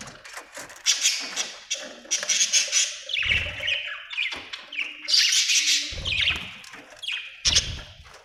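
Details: Budgie from Australia giving dense, scratchy warbling chatter mixed with harsh squawks and sharp clicks. Rapid bursts run almost continuously, broken by brief low thumps.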